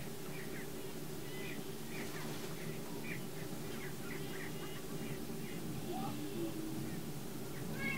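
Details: Greater prairie chickens boom and joust to attract a female, a continuous deep humming drone underneath a string of short, sharp, clucking chirps repeated irregularly, with a few higher whistled notes toward the end.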